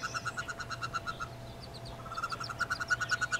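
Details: Newly hatched wood ducklings, nineteen along with one hooded merganser chick, in a nest box in April 2013. They give rapid, clear, evenly spaced peeps, pause briefly, then resume faster, over a steady low electrical hum.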